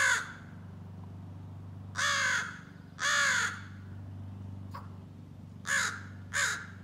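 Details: A young American crow practising scolding and territorial calls gives five harsh, hoarse caws, singly and in irregular pairs a second or so apart, over a steady low hum; adults reportedly ignore such juvenile calls.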